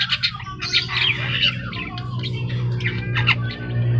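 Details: A newly bought Javan myna, kept in a cage at home, is already singing vigorously. It chatters in rapid, varied harsh squawks and scratchy whistled notes over a steady low hum.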